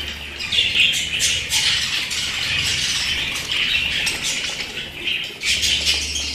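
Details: Pet budgerigars chatter constantly in rasping, high-pitched warbles with occasional sharper chirps and some soft low background rumble.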